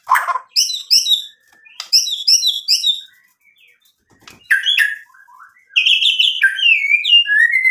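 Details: White-rumped shama in full song with mimicked fill-in phrases, used as a lure to rouse rival shamas into answering: bursts of sharp chirps and descending whistled notes between short pauses, ending in a run of high sliding whistles.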